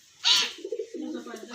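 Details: Talking common hill myna: a short, harsh, bright burst, then a low, voiced, speech-like murmur with wavering tones, like mimicked talking, lasting about a second.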